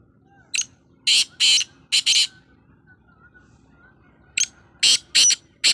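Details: Loud, grating call of a black francolin in two rasping phrases of clipped, repeated notes, separated by a quiet pause.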